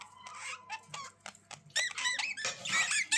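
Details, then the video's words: Budgie chatter building from soft scratchy chirps to louder bent, whistled squeaks crowded together, a faint hum running beneath. "Budgies Sounds for lonely birds to make them Glad"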